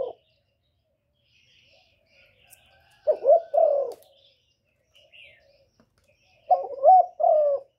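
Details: Spotted dove cooing: two separate phrases of low, hollow, mellow coos, each made of three to four connected notes with a slight rise and fall. Faint twittering from other birds can be heard between the phrases.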